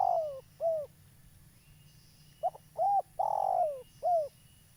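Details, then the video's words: Local spotted dove calling eagerly, recorded for luring doves into traps: a phrase ends with a falling coo, then after a gap a new one sounds, with short note, coo, drawn-out sliding coo and final downward coo; faint background hum. "Tekukur lokal gacor , cocok untuk pancingan"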